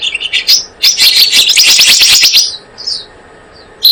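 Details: Blue-eared kingfisher lure recording: a quick, dense, high-pitched trill of piercing notes for about two seconds, followed by soft thin whistles and a final sharp note.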